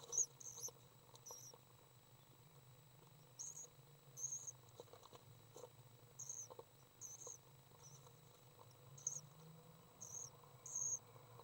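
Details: Three swift chicks at a feeding session, May 30th 2012: repeated very high, thin chittering bursts spaced one to two seconds apart, over a steady low hum and soft tapping.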